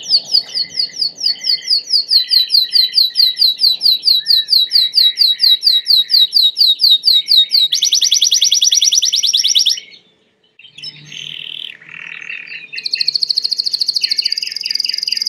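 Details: Loud Belgian canary song built from a long series of rapid repeated downward-sweeping notes, then a dense high buzzy trill, a brief pause, lower chattering notes, and another fast high trill.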